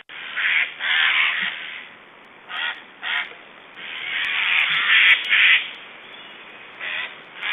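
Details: Estonian black storks being fed, 1 July 2012, give odd harsh sounds: wheezy, breathy rasps in uneven clusters, some long and drawn out, others short and clipped, separated by quieter pauses.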